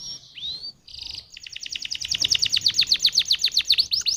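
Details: Canary lure song meant to set other canaries singing: a rising whistle and a short buzzy trill, then a long rapid series of high descending chips growing louder toward the end.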